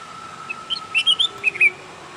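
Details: Bulbul delivering a brief run of clear, liquid whistled notes in a rapid cluster lasting about a second, with a faint steady tone humming underneath throughout.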